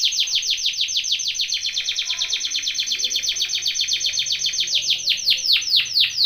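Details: Belgian canary training song: a continuous rolling trill of rapid downward-sweeping notes, bright and high, its pulse quickening and loosening slightly through the phrase.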